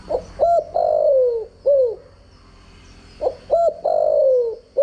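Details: Spotted dove used as a decoy, its proper crowing voice played for daily voice training; two low coo phrases, each with a short note, a paired coo, a long sliding croo and an end note, plus a faint steady high whine.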